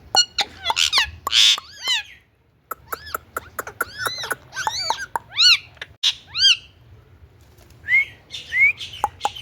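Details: Indian ringneck parrot uttering quick series of arched, screechy notes interspersed with clicks, a brief pause, then more repeated rasping calls and two soft rising whistles toward the end.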